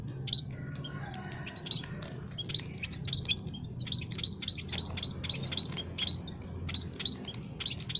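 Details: Aviary munias, a mix of kinds, called to lure wild birds for trapping. After a quieter start, bright high chirps run in a fast string, about three each second, above a low droning background.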